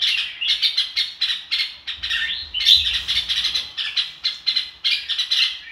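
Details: Red-whiskered bulbul delivering "ro kích bổi" song, a steady stream of bright chirpy whistled notes in short pulses about twice per second, with a faint low rumble midway.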